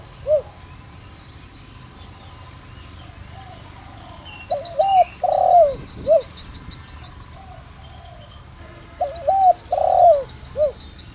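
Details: Caged decoy spotted dove in the Vietnamese 'giọng đồng rặc' voice style, kept to lure and train wild birds. Two cooing phrases of low, mellow notes rise and fall, each lasting about a second and a half. Faint high chirps from other birds.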